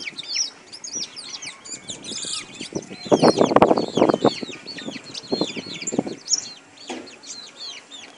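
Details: European goldfinch kept as a caller bird sings a busy run of high, liquid twitters and slurred notes, broken midway by a loud low rustling burst like flapping.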